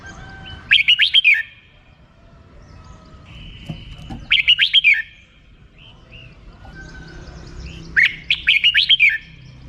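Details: Red-whiskered bulbul in 'rik' song style: three brisk phrases of rapid warbled chirps about three and a half seconds apart, with a faint steady whistle and soft background hiss in between.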